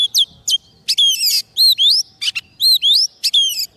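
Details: White-rumped shama on soft food, singing freely to call wild birds: sharp chips, then rich arched whistles alternating with scratchy bursts, repeated in a lively, varied pattern.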